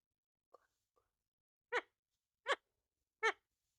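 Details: Parrot calling indoors: two faint short notes, then three loud, harsh, raspy squawks rich in overtones, spaced evenly about three-quarters of a second apart, in an otherwise quiet room.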